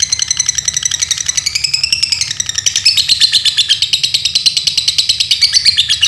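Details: Lovebird kept as a pet in Paduraksa, Pemalang, Central Java, Indonesia, pouring out a long, fast chattering trill of high, buzzy pulses that sweep up and down without pause.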